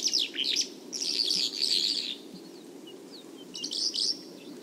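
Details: In Turkey, a bimaculated lark delivers quick, tumbling twitters and jingling high notes in bursts, with a soft constant rumble underneath.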